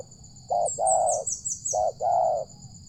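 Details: Wild, loud-voiced spotted dove (tekukur) near a village, cooing during a luring session before coming down to the luring ground within three minutes. Two paired phrases, each a short coo and then a longer mellow one. High thin calls behind.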